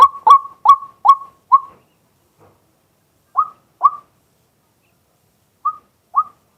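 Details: Male White-breasted waterhen calling during the day, recorded live from a set-up camera: a few clear, short, upslurred notes in quick succession, then isolated single and paired notes separated by silent gaps.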